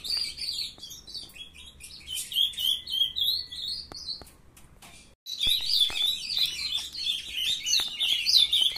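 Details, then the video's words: Brood of captive young ultramarine grosbeaks; a brown juvenile is beginning its song, 23 June 2020, 7:21 in the morning. Rambling, fast warbled phrases in two bursts separated by a brief pause, with overlapping chirps from several birds. "filhotada de azulão mandando ver"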